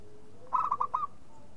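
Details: Local zebra dove producing a brief phrase of four rounded cooing notes, the first broad and the last slightly longer, against steady low background noise.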